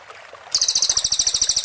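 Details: Clear cililin master recording in the close 'tembakan rapat' style, used to train white-rumped shamas: after a brief hush, a sudden high, rapid stream of sharp, evenly spaced pulses starts and carries on steadily.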